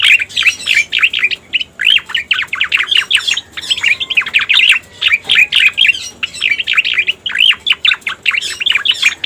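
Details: Striated grassbird song used as a lure: bursts of fast, scratchy chirps and looping whistles in phrases of about a second, separated by short silences.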